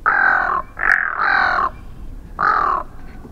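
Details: A Pacific Loon gives its croaking call, four harsh, raspy croaks, each about half a second long, in an uneven series with brief pauses between them.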